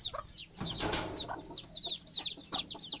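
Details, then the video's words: At night a mother hen sleeps on a stick at the nest while her small chicks try to join her, peeping: clear, spaced high down-slurred chirps about three per second, plus a brief rustling burst early on. "Mother Chicken Calling Chicks Go to Sleep - Baby Chicken Chirping Noises - baby chicks sleeping"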